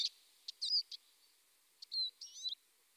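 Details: Eurasian siskin giving sparse high chirps and quick slurred twitters in two short bursts separated by a pause, against a quiet background.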